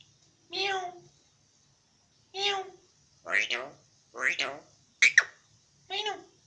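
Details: Talking myna mimicking human speech indoors: six separate speech-like syllables with voiced, nasal tones, spaced irregularly about a second apart, the last few higher and sharper, over a faint steady high hiss.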